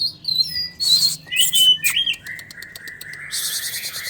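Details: Oriental magpie-robin, a warok-type bird in dominant breeding mode, sunning in its cage and singing a short burst of varied whistles and sharp rising and falling notes, then a rapid buzzy repeated series; low hum beneath.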